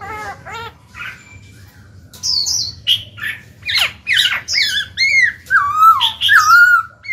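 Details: Black-throated laughingthrush; song; stimulating other birds to start singing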